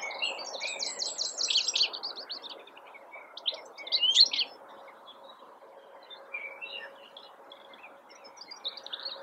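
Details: European goldfinch in a blackthorn bush in April 2021, singing fast tinkling, twittering phrases high in pitch with buzzy trills, bursts around the first two seconds and again near four seconds, against a faint steady low hum.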